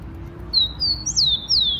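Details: Wild rufous-collared sparrow singing in Brazil, among trees in a park or garden: two high, thin, nearly level whistles, then two louder slurred whistles that sweep sharply downward, the whole phrase lasting just over a second over a quiet background.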